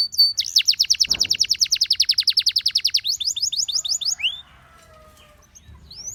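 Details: Gloster canary delivering a long, loud, high trill of evenly spaced chirps, then a slower series of rising notes, followed by near silence with a faint low hum.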